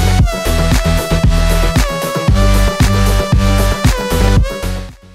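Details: Loud rhythmic instrumental music with a strong beat, bass and repeating melodic notes throughout.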